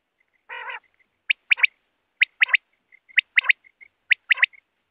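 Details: Quail giving one harsh nasal note, then clear three-note phrases of quick, sharp, high whistles, repeated about once a second.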